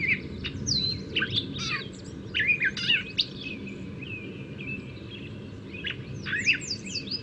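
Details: Gray Catbird song, which can last up to 10 minutes: a rambling, disjointed run of squeaky, squawky, somewhat cat-like phrases, whistled slurs and scratchy notes, with no set pattern, over a low background hum.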